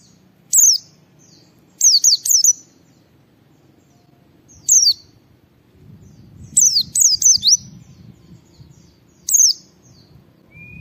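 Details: Lively ngalas song from a white-eye, used to spur other white-eyes to sing: scattered single whistles and quick clusters of three or four shrill descending notes, over soft low rumbling background noise.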